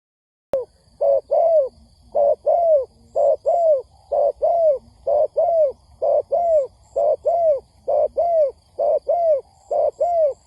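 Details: Spotted dove, used as a trapping lure, cooing in rapid paired notes: a short low coo then a longer down-slurred coo, repeated roughly once a second for ten seconds, with faint high ticking in the background.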